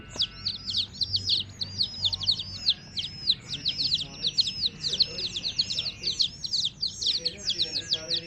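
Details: Chorus of domestic hen chicks chirping continuously, thin piercing peeps that drop sharply in pitch, packed closely together and overlapping throughout, over a low background rumble.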